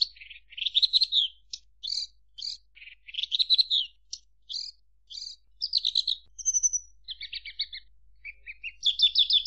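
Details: Energetic Javan bush lark song of mixed warbles, clipped chirps, a thin high whistle, and closing buzzy trills, varied and nearly unbroken.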